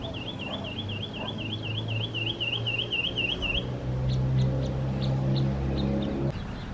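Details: A Lemon-chested Greenlet (Hylophilus thoracicus) in Brazil's Atlantic Forest, at Lídice, gives a quick, rolling run of high wavering notes, about four a second, for three seconds; fainter scattered notes follow over a steady low rumble.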